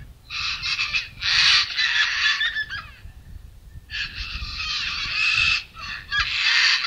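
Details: A Sulphur-crested cockatoo at a church in Gray, Palmerston, near Darwin, Northern Territory, Australia, gives harsh, grating screeches in two long raucous bursts, each two to three seconds, separated by a short pause.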